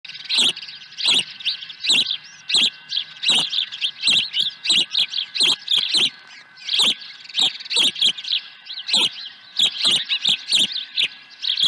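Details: Osprey at a ranch nest on 23 April 2020, after swooping in with a second fish; shrill, high chirps in rapid bursts fill the recording, with a steady electronic hum underneath.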